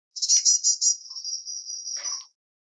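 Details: White-bellied erpornis calling: a rapid buzzy trill of about five pulses runs into a long, thin, level high note lasting about a second and ends in a brief lower rasp. Silent background.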